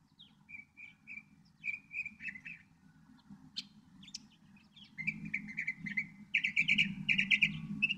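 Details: Northern mockingbird singing: varied phrases of short whistled notes near the mid-high range, some repeated two or three times, then a louder run of rapid, buzzy repeated notes, with a steady low hum beneath.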